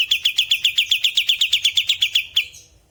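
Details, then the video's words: Bulbul singing actively in a natural-sounding recording: a rapid series of about fifteen bright, clipped chirps, evenly repeated roughly six per second, ending abruptly and fading into quiet. "Burung kapas tembak gacor suara alami"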